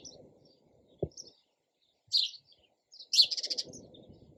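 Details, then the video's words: Sparrow chirping: a couple of separate chirps, then a quick pulsing burst of rapid notes, with a knock and low background noise. "SOUND OF SPARROW RELAXING CHIRPING SOUND."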